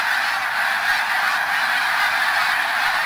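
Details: Massed snow geese in Pennsylvania at Middle Creek WMA, a steady wall of overlapping high nasal honks from many birds calling at once, unbroken throughout.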